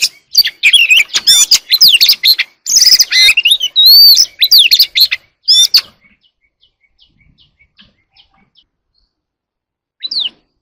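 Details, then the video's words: Early-morning song of an Oriental magpie-robin: six seconds of rich, fast whistles, looping slurred notes and chattering trills, then near silence broken by faint ticks and one final downslurred whistle. "Chòe than hót đấu"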